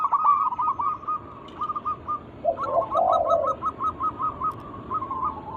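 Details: Lure recording of local zebra doves in full song to prompt others to sing: long chains of quick, evenly spaced hooked coos with a brief lower rolling trill midway, several birds overlapping.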